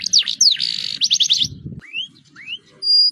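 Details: Canary singing a lively roll-style song meant to prompt other birds to sing: fast falling whistled notes and a dense buzzy trill, then rising slurred whistles and a steady high pure tone, with a brief low rumble midway.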